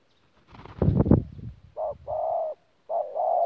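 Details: Caged decoy spotted dove from Tumorong, recorded 14 January 2019, in a mixed thổ-and-gù coo style; a burst of low thumping handling noise comes first, then a short coo and a longer drawn-out mellow note, a pause, and another two-part coo.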